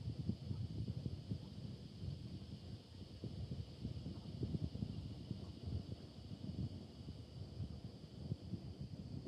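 Outdoor wind buffeting the microphone, with low rustling and rumble and no clear animal calls.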